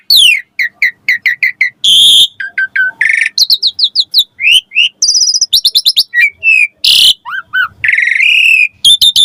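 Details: Javan pied starling song for training young starlings to sing, a fast varied medley of repeated chirps, short whistles, harsh rasping bursts and clipped upslurs, delivered almost without pause.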